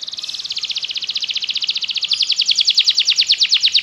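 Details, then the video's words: Belgian canary song used to train other canaries to sing: a fast rolling trill of about ten notes per second that grows louder and slightly more sweeping toward the end. "Canário belga seduz todos os canários para cantar - treinamento de canário"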